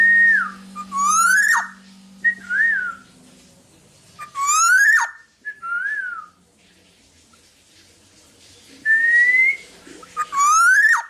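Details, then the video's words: Vigorous Black-naped Oriole song intended for tutoring other birds: harsh rising nasal calls interleaved with soft down-curving flute-like whistles and one longer rising whistle; a low hum fades out early. "Burung Kepodang Podang gacor buat masteran"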